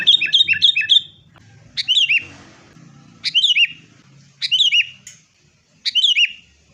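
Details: Fighting sooty-headed bulbul used as a lure to make caged bulbuls sing: a quick triple of chirps, then four separate bright, down-slurred whistled phrases about a second apart, with a soft low drone.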